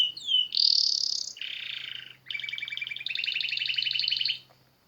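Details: Canary song outdoors in nature: a swooping whistle, a loud rich warble, a buzzy low section, then a steady rolling trill, over a faint low hum.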